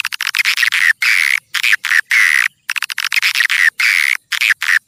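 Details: Swiftlet lure call used to attract swiftlets, a passing-flight lure: dense bursts of rapid clicking chirps with buzzy rising notes, in blocks about half a second to a second long separated by brief silences.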